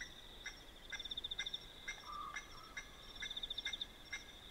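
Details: Night recording from a dam in South Africa's Manyeleti Game Reserve: Blacksmith lapwing giving soft, evenly spaced metallic clinks about twice a second, partly masked by a steady high-pitched insect trill throughout.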